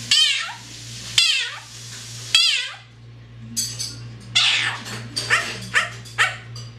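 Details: Parrot kept as a pet mimicking a cat: three loud, falling, meow-like wails, then harsh yelling bursts and short squawks, with a constant low hum in the room.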